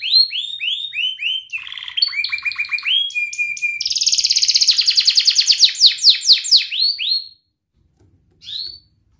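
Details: Canary singing a training song for young canaries: repeated upslurred whistles, then stepped chirps, then a fast, buzzy rolling trill of rapid notes, then a pause and one last chirp.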